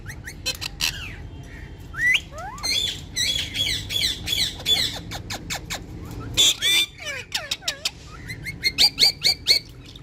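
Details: Ringneck parrots, described as Urdu-speaking pets talking and dancing together, give a busy mix of sharp clicks, rising whistles, wavering squeaky phrases and a run of rapid repeated chirps near the end.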